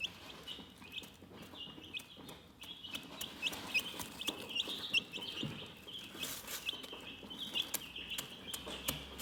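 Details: Relaxed chickens give a dense, unbroken wash of high-pitched peeping, dotted with brief pecking taps and light scratching noises throughout.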